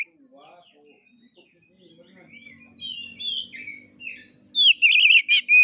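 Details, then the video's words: Oriental magpie-robin singing in a fighting style known locally as 'gaya kura kura'. Scattered whistled and slurred phrases build to loud, quavering warbled trills mixed with buzzy high notes near the end, over a faint low murmur. "KACER NGEPLAY TARUNG|GAYA KURA KURA"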